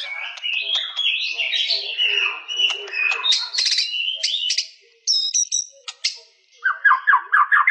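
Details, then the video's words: White-rumped shama singing a rich, varied song of whistles, slurred notes and sharp chips. A fast run of rising notes follows a short pause near the end. "Suara burung murai batu"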